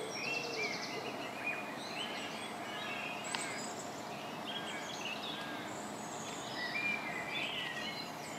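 A blackbird sings short warbled phrases with high twittering notes, over steady hiss and other small birds chirping.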